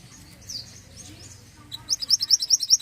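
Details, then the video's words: Pied bushchat in vigorous song: after near silence, a rapid high trill of about a dozen bright, evenly spaced chirps runs for roughly one second near the end, preceded by a few faint, thin high notes. "mantenan gacor"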